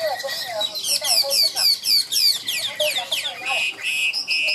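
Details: Caged 'ngũ trường' Chinese hwamei singing high and forcefully: loud, ringing downslurred whistles repeated about four times a second in an insistent series, ending with steady sustained notes.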